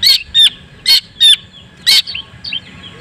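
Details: White-breasted long-tailed shrike singing loudly, played to provoke other shrikes: five harsh, buzzy bursts with whistled overtones, spaced irregularly about half a second apart, then softer rising notes.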